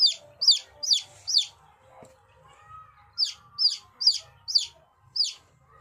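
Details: Chicks giving loud, high, downward-sweeping peeps in two bursts of four to five, each peep about half a second apart, with a short quiet gap between the bursts; low steady hum underneath.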